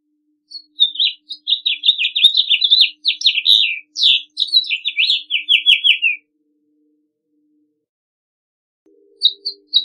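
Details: Long rambling song of a house finch: rapid twittering notes tumbling downward in a run of about six seconds, then a pause and a few brief high notes near the end.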